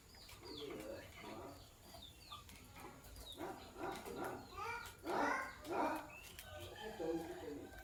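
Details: Sky blue opaline and green opaline lovebirds in the morning, giving a busy run of harsh, squeaky chirps and short rising-falling calls in overlapping bursts, loudest toward the middle of the stretch, with soft background rustling.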